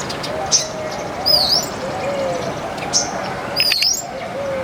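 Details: A flock of Baya weavers eating grains in a backyard chirp with high, thin, squeaky notes and quick sliding twitters, repeating over a steady background hiss.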